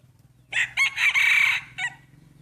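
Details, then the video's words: Main breeding rooster's crow during a first-time crowing contest among roosters shown off for fun. Brassy, strident crow with a short rising lead-in, a sustained harsh middle section, and a clipped final note, over a faint low hum. "Tso qaib sib khav thiab mloog suab qaib qua ua si ประชันเสียงขันพ่อพันธุ์หลักครั้งแรกเสียงขันดีมากๆ"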